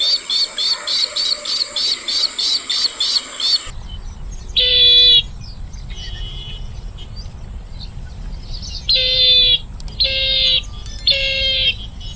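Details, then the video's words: Bronze-winged jacana (Metopidius indicus) giving a fast run of squeaky, piping notes, then several separate harsh, wheezy squeals over a low background rumble. "Jacana Bird Sound | জলপিপি পাখির ডাক | Jacana Bird Call | Jacana Bird Voice"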